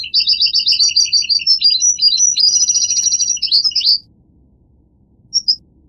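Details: Goldfinch song of rapid, tinkling twitters switching between high and lower notes for about four seconds, then silence broken by one short high chirp; a faint low hum runs beneath.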